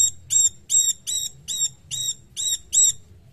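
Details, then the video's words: Cungkok songbird on a training recording, giving eight crisp, high, ringing chirps in steady succession, roughly two to three per second. Each note is thin and metallic, and the background is quiet. "Masteran Cungkok"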